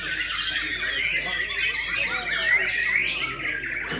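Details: White-rumped shama at a song-contest hanging pours out a dense, harsh, rapid "rough ammunition" song of scratchy and whistled phrases, used to train young shamas, with other birdsong and faint voices in the background.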